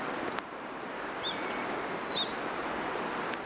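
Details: Bohemian waxwing giving a single high, thin, ringing trill about a second long, held at a steady pitch, over a constant background hiss.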